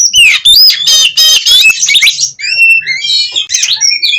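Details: Oriental magpie-robin singing in a Cirebon aviary, Indonesia: harsh grating rattles and buzzy bursts up front, followed by long, clear, level whistles and a few sharp upslurs, loud and close.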